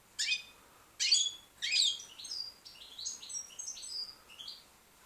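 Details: Young white British goldfinch song: three loud harsh buzzy notes, then a softer string of clear whistled and tinkling phrases stepping up and down in pitch.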